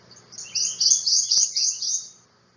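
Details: A male Prothonotary Warbler, singing to females, gives a quick run of five or six loud, ringing, high 'sweet' notes on one pitch, lasting under two seconds, with a faint low hum behind.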